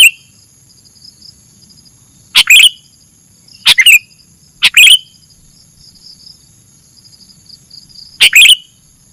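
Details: Sooty-headed bulbul song for attracting birds to a trap: five short chirping bursts, several close together and others after long pauses, each of quick downward-sliding notes, over a steady high hum.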